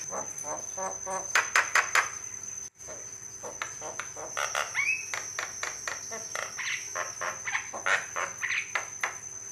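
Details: Song variations of a male white-eyed Javan myna, used to draw responses from other mynas: dense runs of rattling, clicking harsh notes, one brief upward whistle midway, a constant thin high tone behind.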